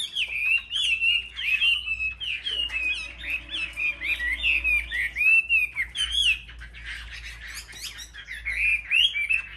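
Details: Chinese hwamei, caged, singing competitively: a long unbroken stream of varied whistles, warbles and fast trills with sharp upward flicks, steady and loud throughout, a low hum and faint murmur in the background.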